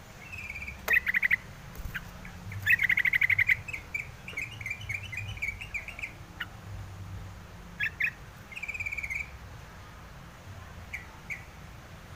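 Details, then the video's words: Yellow-vented bulbul calling in short bursts of rapid, sharp chips, strongest early on, then sparser notes and brief clicks, over steady low background noise. "suara crucukan ngalas"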